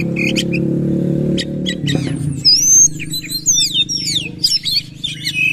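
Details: Oriental magpie-robin in bursting song while bowing; a low engine drone fills the first two seconds, then fast, clear whistles, swooping slurs and chirps take over.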